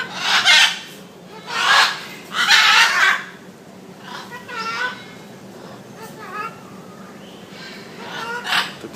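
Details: Talking parrot at Nong Nooch, Pattaya, set against others that just squawk: three loud raspy squawks open, followed by softer wavering, voice-like phrases and a final squawk, with Russian speech and a low background hum.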